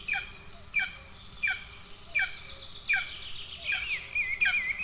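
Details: Hungry golden eagle chicks in a nest in Estonia, 2 June 2024, with the older chick aggressive toward the younger. Thin high cheeps sliding downward, repeated roughly every 0.7 seconds, with softer chirps and faint background birdsong.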